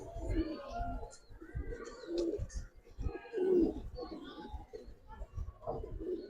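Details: Several Giribaz pigeons in a kept collection coo in low, rolling bursts that overlap and swell every second or two. Faint rustling and shuffling run underneath.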